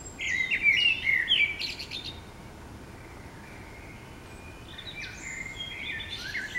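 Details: Common blackbird in town in the morning, a loud phrase of fluty notes breaking into high chittering, a pause, then a softer, more distant warbled phrase with high squeaks, low city noise throughout.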